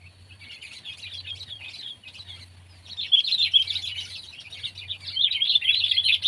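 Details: Sooty-headed bulbul (Pycnonotus aurigaster) from Indonesia, pet and wild birds compared; dense run of chirping, warbling notes that grows louder toward the end, with a faint low hum underneath.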